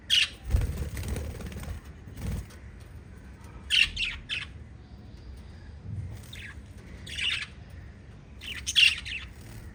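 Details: Five little lovebirds chirping: scattered harsh squeaky chirps in short clusters every second or two, some louder and raspy, with low thumps and rustling noise between calls.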